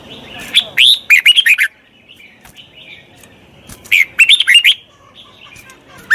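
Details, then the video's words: Red-whiskered bulbul, wild-caught and undergoing training, sings two brisk phrases of bright, slurred whistles, each under a second, separated by a quiet gap of about two seconds. "Tiếng chào mào luyện giọng chim bổi. นกปรอดหัวโขน"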